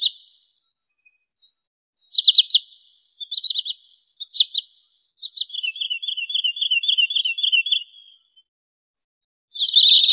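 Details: Wood sandpiper lure call for trapping and hunting: scattered groups of high, sharp whistled notes, then a long rapid chattering run of slightly descending notes lasting about two seconds, and a loud renewed burst at the end.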